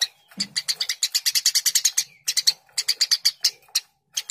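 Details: Eurasian tree sparrow producing a continuous string of sharp, high chirps at a steady fast pace, about six per second, with no other sounds.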